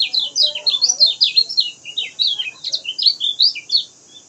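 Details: Lemon-bellied white-eye, kecial kuning, singing rapidly: a continuous, clear run of high, slurred, up-and-down whistled chirps, about three notes per second, loud and close, with a steady faint hiss behind.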